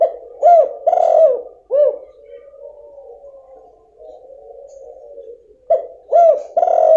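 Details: Female spotted dove calling, used as a lure to get a silent male to start calling: deep, hollow coos in short groups of two or three, then a pause with a faint steady tone, then more coos.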